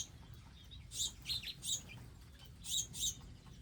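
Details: Wild birds at a garden feeder area give clusters of sharp high chirps, three then two close together, over low background noise.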